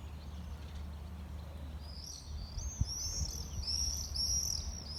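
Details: Common swifts, summer visitors arriving in mid-May, give piercing screams in flight: thin, high screeching trills in overlapping bursts during the second half, over steady low rumbling background noise.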